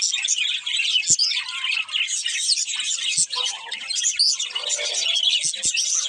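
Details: Budgerigars from a breeding pair chatter in a continuous scratchy warble with squeaky chirps and short squawks, punctuated by a few sharp clicks or taps.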